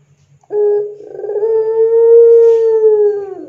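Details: Barbary dove, locally called puter pelung, on a lure recording for training doves: one long, drawn-out, low hooting coo rising in from a brief rough start and held steady for nearly three seconds before sagging slightly; faint steady low hum beneath.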